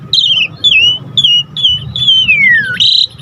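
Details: Jalak Suren, the Asian pied starling, in lively varied song for luring other birds: clear descending whistled slurs, ending in a long falling whistle that jumps abruptly to a high sustained note.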